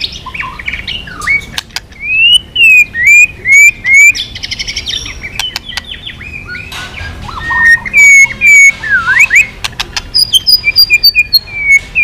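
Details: White-rumped shama in intense, varied song with frequent tail flicking. Bright whistled note series, short fast trills and a deep swooping whistle are broken by sharp clicks and brief pauses.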